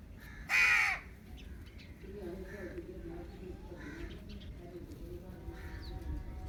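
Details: Indian ringneck parakeet giving one loud, harsh, buzzy screech lasting about half a second, followed by quiet background hum and faint distant chirps.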